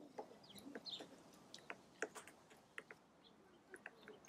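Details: A hairy woodpecker, seen on a winter nature walk, gives sharp, short peek notes at irregular intervals, about one every two seconds, with faint rustling and softer sounds early on.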